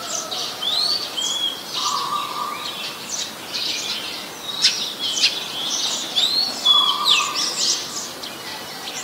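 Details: Oriental magpie-robin, a common resident, in Ubon Ratchathani, Thailand, on 21 January 2021: varied high whistles and sharp chirps in quick, irregular bursts, with other birds chirping alongside and a brief steady hum twice.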